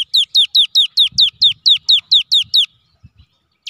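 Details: Cinereous tit, a kept gelatik batu in vigorous gacor singing, used as a lure to draw song from other birds: a rapid series of about thirteen sharp, downward-hooked whistled notes repeated evenly, then a pause and one fresh note.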